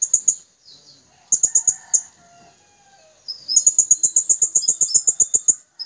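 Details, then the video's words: Twin Blue-crowned hanging parrots calling to companions with thin, very high, shrill chirps in quick bursts of about four per second, separated by short pauses; the call is used as a lure to make other birds sing. "Suara serindit kembar manggil kawan"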